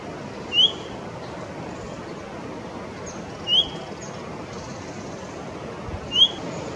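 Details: Blyth's shrike-babbler in India, noted as both singing and calling, gives three short, clear whistled notes, each a quick slurred upward flick, spaced about three seconds apart over a steady background hiss.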